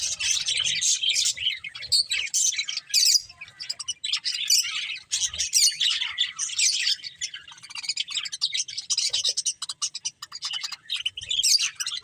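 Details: Budgerigars in a lively group chatter, bursts of raspy, twittering chirps and squawky notes coming in quick clusters with brief gaps, high-pitched and busy throughout.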